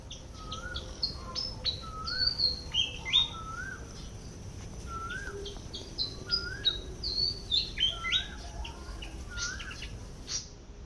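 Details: Malaysian pied fantail foraging in a garden, uttering rapid high squeaky notes about three per second, while another bird repeats lower, rounded whistles beneath it.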